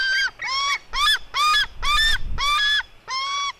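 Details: Female white-tailed eagle eaglet fighting her brother: seven loud, hoarse, yelping notes in quick succession, each with a brief rise and a flat tail, about two per second.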